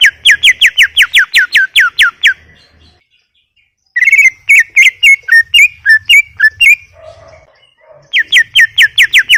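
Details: Greater green leafbird giving fast trains of clear, descending whistled notes, about five per second, with a middle section of varied, mimicking chirps and a few faint lower notes before the rapid series returns.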